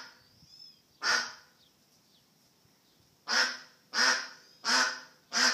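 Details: Lost duck giving loud, harsh, honking quacks: one call, a pause of about two seconds, then four more in quick succession, roughly 0.7 seconds apart, with faint high chirps in the quiet stretch.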